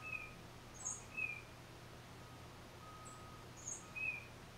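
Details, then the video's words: A solo tufted titmouse alternates lower whistled notes and very high thin notes in loose paired phrases, recorded with a Nikon D3500 and Tamron 500mm lens, against a quiet steady hum. "1 Tufted Titmouse Solo"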